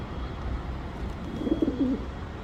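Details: One short, throaty pigeon coo rises and rolls near the end, after a stretch of low rumbling background noise.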